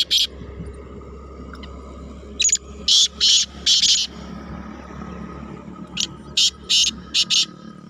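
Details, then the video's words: Kala teetar, the black francolin, calling during the rainy season. Two runs of strident, scratchy notes, each a cluster of four or five loud bursts, are separated by a pause, over steady low background noise. "Barsat KalaTeetar 31/5/23 | Siyal Aijaz Black Francolin🔥| Kala Teetar"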